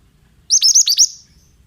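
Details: Oriental magpie-robin, used as training sound for young birds: a single quick series of five sharp, downward-hooked high notes, evenly spaced, on a quiet background.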